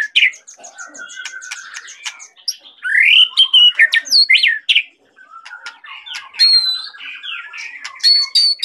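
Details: Full, rich song of a white-rumped shama from Medan, a dense jumble of chattering clicks, rising and falling whistles and harsh squawky notes, a brief gap near the middle, then more varied whistling phrases.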